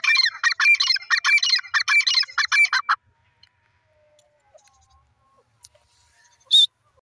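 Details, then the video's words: Francolin giving a rapid burst of rasping, scratchy notes for about three seconds, then quiet, then a single sharp high note near the end. "teter bird sound,teter ki awaz"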